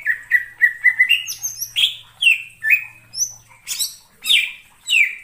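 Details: Greater green leafbird in the wild, forest setting: a run of short clear notes near the same pitch, repeated quickly, then sharper rising and falling whistles and bright high chirps; faint low hum underneath.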